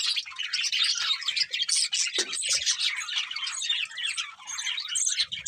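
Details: Budgerigars chattering as they eat: overlapping high twitters, squeaks and warbled phrases from several birds, with one short lower note and faint thumps.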